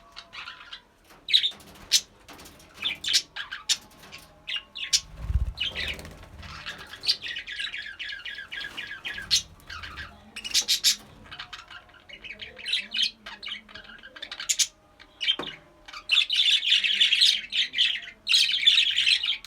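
Budgerigars chatter in a steady stream of scratchy chirps, squawks and warbles.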